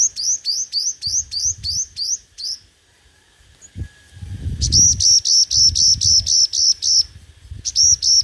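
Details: Sunbird called the five-colour sunbird, singing competitively as a lure. Quick, upswept whistled notes stop after two seconds. After a gap with low thuds and rumble, a faster buzzy, even series of flatter high notes begins.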